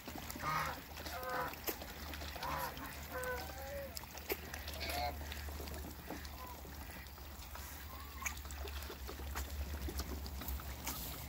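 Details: Toulouse and African geese in a backyard: several nasal, harmonic honks in the first four seconds, then sparser calls, over a steady low engine-like rumble and clatter.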